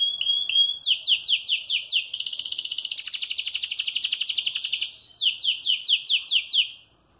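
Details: Canary in moult yet singing all day: repeated downslurred high chips in quick series, then a dense buzzing rolled trill lasting nearly three seconds, returning to the slurred chips before falling silent.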